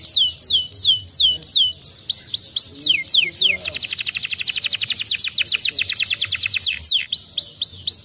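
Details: Canary song used as a lure to prompt another canary to sing: loud high whistled descending sweeps, then a fast rapid trill of repeated notes from about four seconds, returning to sweeping whistles near the end.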